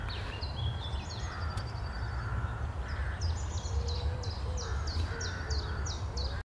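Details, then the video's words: A European green woodpecker's morning call on 11 April 2021 is a ringing, laughing series of about nine quick, slightly falling notes, three a second, over a steady low rumble of wind or traffic. "Poranne nawoływanie dzięcioła zielonego"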